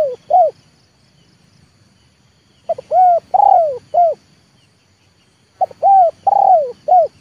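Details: A tame decoy spotted dove in the 'leopard' style calls to draw wild birds down to the yard. Its phrases come about every three seconds, each a brief note, a hooped coo, a drawn-out purring coo falling in pitch, and a short closing coo.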